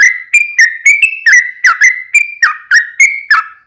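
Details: Vigorous 'ropel panjang' song of a yellow-vented bulbul used as a lure for other bulbuls: crisp whistled notes, some rising, some dropping, fired off at a rapid, slightly irregular pace over almost four seconds.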